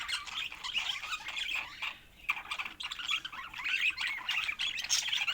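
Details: Colourful pet budgerigars give bright chirping warbles and squeaks. The sound pauses briefly near the middle, then resumes more loudly.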